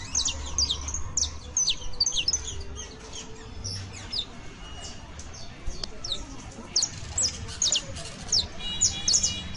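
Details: Juvenile saffron finch, called canario basto, singing: scattered high, sharp descending chirps and short notes in loose bursts, with low background hum and faint voices.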